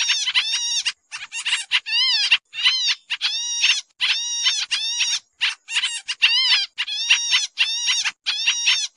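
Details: Trapping lure sound of the pied triller, busy style: harsh, buzzy, overtone-rich notes, several sweeping down then up, repeated in irregular groups through the clip against a clean, quiet background.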